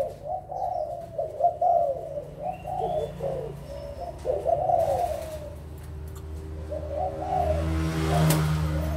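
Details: Adult spotted doves, Malaysian and Thai birds, recorded 16 March 2022: a long series of warbling coos, several rolling notes per phrase, fills the first five seconds, pauses, then resumes, ending with a sharp tap.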